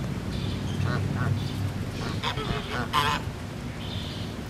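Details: Geese at a resort honking in short, nasal, harmonic bursts, two spaced honks near the first second, then a clustered volley around two to three seconds, with low background rumble.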